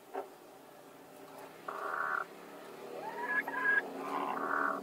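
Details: Two hens fighting to lay an egg in the same place at the same time: several harsh, nasal squawks, some held and some bending upward, rising in loudness, over a steady low background hum.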